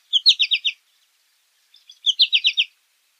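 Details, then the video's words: American goldfinch calling in two rapid bursts of about five high, bright chirps, roughly one and a half seconds apart, with faint soft notes in between. "American Goldfinch Song! American Goldfinch Call! - Jilguero Americano canto"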